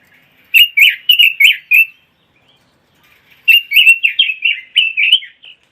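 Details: Cage-bird song of the Pekin robin, used for tutoring and competition training: a short sweet phrase of five notes, a brief silence, then a longer tumbling run of varied warbled notes.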